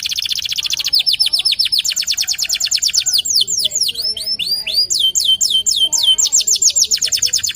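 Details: A local canary sings nonstop, chaining fast metallic trills with slower runs of looping, downward-swept whistles, each phrase shifting pace and pitch.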